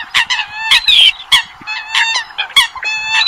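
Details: Several Eurasian coots calling on a lure track for night net trapping in Vietnam: loud, separate nasal honks with ringing harmonics, one stretched squealing note near the start and irregular pauses between calls.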